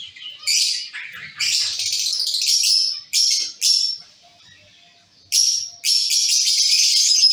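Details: Caged zebra finch colony giving bursts of nasal, twangy calls, then a pause of over a second, then sustained overlapping calling.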